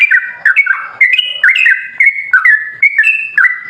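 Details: Sooty-headed bulbul singing a lure song meant to provoke other bulbuls into answering: quick bubbling whistled phrases around two kilohertz, each note stepping up or down, delivered in a steady chattering run without pause.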